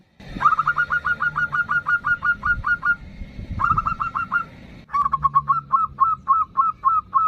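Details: Local zebra dove singing energetically in the ndudut variation style, a lure to call and provoke a rival. Phrases of rapid, hooting notes repeat quickly, with a brief pause near four seconds, over a faint low background rumble.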